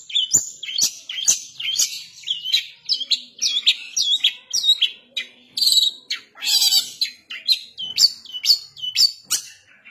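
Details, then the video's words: A long-tailed shrike, a cage bird singing energetically in the rough 'nembak kasaran' manner. It gives a steady run of high, rising, whistled notes about once a second, mixed with scratchy buzzy bursts and faint clicks. "cendet gacor nembak kasaran"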